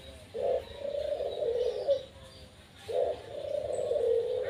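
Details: Pet Barbary dove singing: two low, soft, hollow coo phrases, each a short accented note followed by a longer rolling purr, separated by about two seconds of quiet; faint room hiss.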